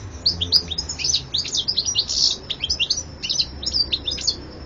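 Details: European goldfinch in full song: a rapid, tumbling stream of bright, high-pitched twitters and buzzy trills, nearly unbroken, with faint low hum behind.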